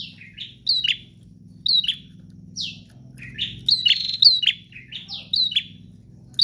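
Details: ['Bar-winged prinia song of spaced, high, sharply slurred notes, some in quick pairs and a denser flurry midway, against a constant low humming background.']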